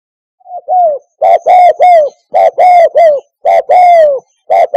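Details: Repeated Spotted dove coo phrase played to lure doves toward a hunting hide: a soft introductory note, then loud, low, slightly falling coos grouped in twos and threes, very clean and close.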